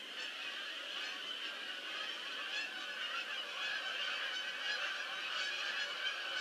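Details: A large flock of geese coming in to land, recorded 22 October 2015: a dense, continuous chorus of overlapping nasal honks from many birds at once, steady in loudness for the whole stretch, with no other clear sounds.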